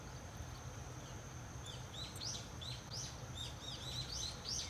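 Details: Six swallow chicks, six days after hatching, in a second-brood nest at a rural house entrance, calling as their parents return to feed them: rapid bursts of thin, high, down-slurred chirps begin midway and repeat quickly over a steady low hum.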